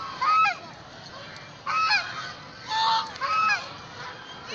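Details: Ducks at Karachi Zoo, Pakistan, give loud, nasal honking calls in four separate bursts, each under half a second, with a faint murmur of other birds between.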